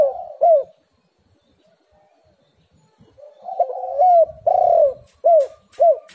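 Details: Spotted dove lure call meant to set other doves calling: short, loud, slurred coos at the start, a long quiet gap, then a burst of rolling coos and several sharp, emphatic notes close together.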